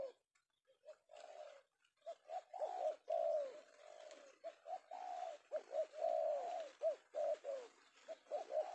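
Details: Indonesian male tekukur (spotted dove) of penguku style, caught in the afternoon: a continuous chain of quick, bubbling coos with longer drawn notes between, over a steady background hiss.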